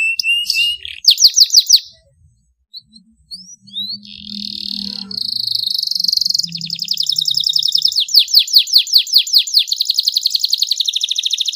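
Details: Canary song for tutoring, 'tembakan pedes cengkok mewah' style: brief whistles and a pause, then a steady high trill followed by rapid descending slurred notes, roughly two or three per second. Faint low hum underneath.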